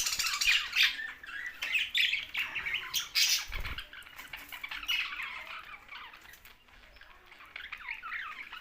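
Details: Budgerigars, Australian parrots, kept birds, chattering with rapid overlapping squawks and warbled chirps, busy and high-pitched, with a brief low thump near the middle and softer calling toward the end.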